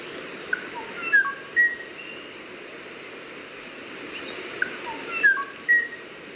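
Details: Kauai ʻōʻō singing two matching phrases of short, clear whistled notes, one near the first second and one repeated about four seconds later, over a steady background hiss.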